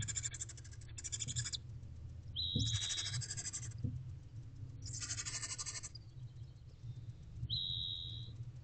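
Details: Barn owlets in an owl box hiss at 5:34 am on 21 April 2023 as the adult male delivers a rodent. Several long, harsh, noisy hisses of about a second each are heard, with short thin whistles between them over a steady low hum.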